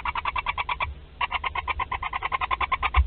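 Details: At a barn owl nest in Théding, 31/03/2021, with a live wood mouse delivered: rapid ticking twitter of about ten notes per second, pausing briefly, then resuming steadily.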